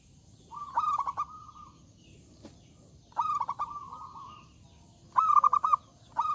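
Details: Zebra dove singing actively in a loud voice to draw rivals into song: three stuttering phrases of quick coo pulses each stretching into a long held note, spaced about two seconds apart, with the start of a fourth at the end.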